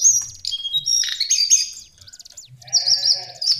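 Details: Lesser shortwing song: bright, high warbled phrases with quick trills, a brief pause, then a lower harmonic bleating note beneath renewed high whistles.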